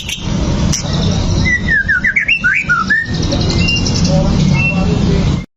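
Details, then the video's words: Bait song of a white-rumped shama meant to anger a fighting bird: a short run of zigzagging mid-pitched whistled notes, then faint scattered chips over a steady low hiss. "PANCINGAN MURAI BATU AGAR EMOSI BONGKAR ISIAN! 🔥 MURAI TARUNG AMPUH LANGSUNG NYAMBAR / SHAMA BIRD"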